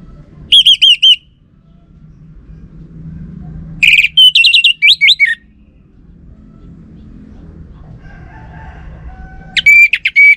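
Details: Lure song of an Orange-headed thrush, used to provoke a male's reply: three separate bursts of high whistled notes, short and trilled at first, then a longer slurred phrase, and a final sharp burst, with low rumbling background noise.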